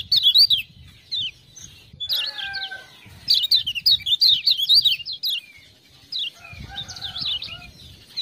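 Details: Lemon-bellied white-eye (kecial kuning, Lombok) singing gacor-style as a tutor recording, prompted by ciak-ciak sounds: rapid high chattering warbles in bursts, with pauses and a few lower tonal notes between phrases.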